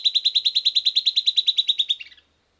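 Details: Silvered antbird (Sclateria naevia) song following playback: a quick run of loud, even whistled notes, about eighteen in two seconds, ending with a few softer descending notes that trail off into quiet.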